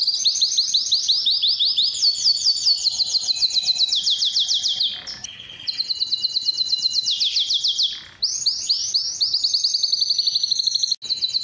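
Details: Canary in full song to attract females for mating: rapid high rolling trills and sweeping repeated notes in long tours, with short gaps between phrases and one phrase ending in a sharp break.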